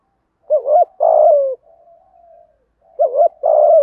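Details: Spotted dove 'thúc gù' cooing in the 'giọng thổ' and 'hạp bổi' voices. Two phrases, each a short rolling double note and then a longer mellow falling coo, are linked by a soft, low hum-like murmur.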